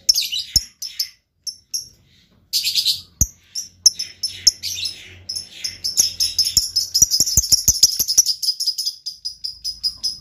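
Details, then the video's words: Lovebird in a luxurious song style, producing scattered sharp chirps that build into a long, continuous, high-pitched twittering chatter with rapid clicking notes, keeping up for several seconds. "LOVEBIRD GAYA MEWAH. SEKALI BUNYi LANGSUNG YAUT.."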